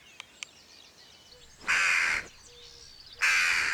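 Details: A Jackdaw alarm call, given at a jackdaw site during an experiment to mark a person as a threat: two harsh, rasping bursts, each about half a second long and about a second and a half apart, with faint clicks and thin whistles behind.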